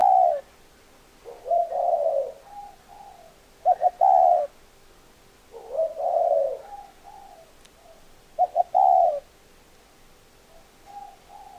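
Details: Spotted dove repeating its cooing phrase three times about every four seconds, each a quick pair of short coos and a long, throaty, mellow note trailing into softer coos.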